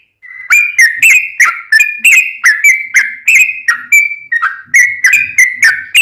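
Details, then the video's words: Lively sooty-headed bulbul song in fighting style, a master recording for caged birds: a clear steady whistle, then a string of loud, bent whistled notes, roughly two to three per second. "Trucukan gacor tarung ROPEL panjang, masteran burung macet bunyi dan liaran pasti nyaut"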